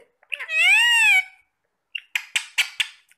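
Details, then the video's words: Talking parrots eating apple: one long, loud, steady drawn-out vocal tone with a gentle rise and fall, then a quick series of four sharp clipped notes. "Talking parrots"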